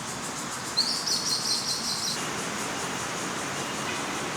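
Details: Juvenile crested goshawk perched high in Daan Forest Park, Taipei, on the morning of 30 June 2022 during the breeding season, begging for food: one rapid run of thin, high chirps lasting about a second and a half over steady loud background noise.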